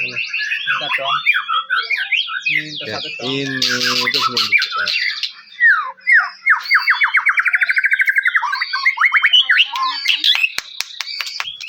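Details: White-rumped shama lure song for provoking other shamas, 'cess plengg' style: fast chattering phrases, a harsh squawking burst, then a long run of rapid evenly repeated notes.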